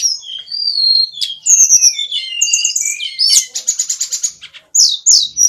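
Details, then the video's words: Varied songbird song mixing clear whistled slurs, rising and falling notes, rapid rattling trills and sharp chirps in quick succession, continuous and loud, with brief pauses near the end. "Ocehan burung"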